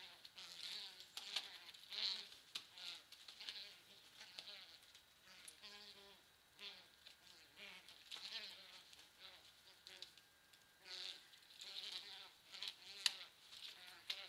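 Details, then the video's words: An American white ibis gives short, nasal, honking grunts in irregular bursts, over a steady high hiss of insects or wind. "White Ibis"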